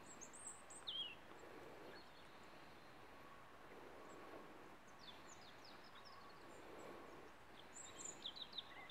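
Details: A European robin sings in Pylaia, Greece: thin, high, tumbling phrases separated by pauses, soft against a steady background rumble and hiss.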